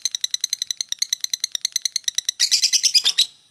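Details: A stretch of the lovebird's ngekek chatter, part of a run exceeding two minutes: crisp, regular high ticking notes, then a louder, harsher, scratchy flurry before fading out.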